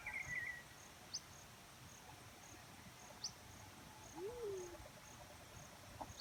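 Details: Black-chinned fruit dove: one low, arched coo near the end, preceded by a thin high warbling chirp from another bird and sharp high ticks amid a soft insect background.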